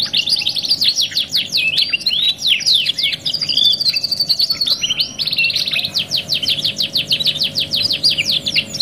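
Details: Canary song made for masteran training, billed as '2 in 1': quick sweeping chirps and warbles give way midway to a long run of rapid, evenly repeated descending notes. A faint background hum is present.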